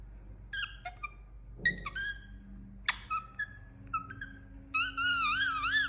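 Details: Indian ringneck parakeet giving scattered sharp squawks and clicks, then a long wavering, warbled whistle rising and falling repeatedly at the end. Faint low hum runs underneath.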